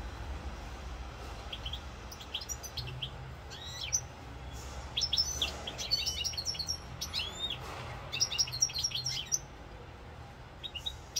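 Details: Goldfinch singing in Corsica on 7 November 2022: sparse high chirps at first, then a denser cluster of twittering notes mid-passage, fading to occasional tweets, over a low steady hum.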